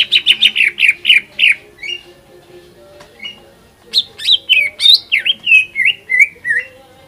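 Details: Provoking song of a greater green leafbird: a rapid burst of sharp, scratchy repeated notes, a brief lull, then loud swooping whistles and chattering phrases, with a faint low droning hum behind.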